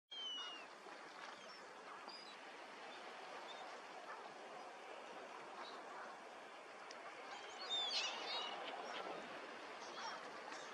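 Eurasian teal giving short, high whistled notes through a busy wetland chorus, with a louder flurry of calls near the end against steady background noise.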